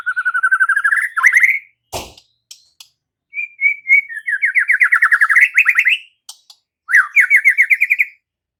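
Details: Gacor white-rumped shama replying to shama song: fast rattling trills on a rising pitch, a sharp click, then long series of quick rapid notes climbing upward, ending with another short rising trill.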